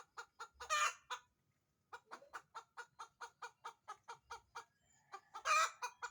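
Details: Laying hen cackling: steady strings of sharp, evenly spaced clucks, roughly four per second, framed by two loud ragged squawks at the start and end.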